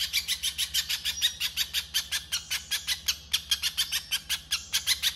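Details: Rough masteran of a little spiderhunter's 'konslet' song: rasping, metallic high chips repeated briskly with small irregular gaps, set against a faint continuous low hum.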